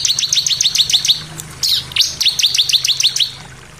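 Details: Bar-winged prinia singing, a recording meant to provoke other birds to sing: long fast series of sharp high notes repeated about four per second, briefly interrupted by a couple of sweeping notes, then resuming.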